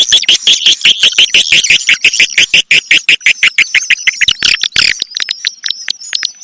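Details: Swiftlet calling sound used to attract swiftlets: a rapid, buzzy stream of high chirps, about four or five a second, with a thin sustained whistle toward the end.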